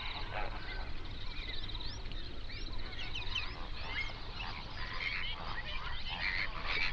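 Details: Hundreds of flamingos on a national park lake in the Overberg, South Africa, binaural recording: dense, overlapping honks and upward-swooping nasal calls chatter constantly, with steady low wind noise underneath.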